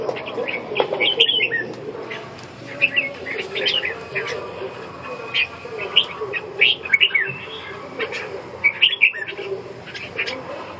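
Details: Red-whiskered bulbul singing: short bright warbled phrases of quick rising and falling notes, given in bursts every second or two, over a steady low murmur in the background.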